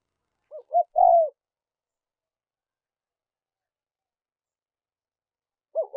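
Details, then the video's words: Quieter spotted dove cooing for luring wild doves: one phrase of two short hoots and a longer falling coo, then silence until another phrase begins at the end. "Tiếng chim cu gáy mp3 dùng kích bổi hiệu quả nhất"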